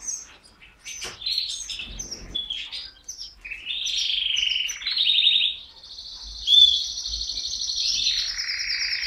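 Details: Canary song with scattered sharp high chips and short phrases, then buzzy rolling trills building into a long sustained high trill.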